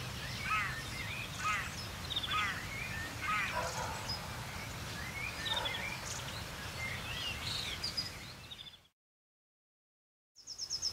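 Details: Crow family sits behind a noise-barrier embankment in the Elbe moorland southeast of Hamburg on a wet, cold grey April day, giving short, harsh, repeated caws over steady traffic rumble from a nearby road; sound drops out briefly near the end.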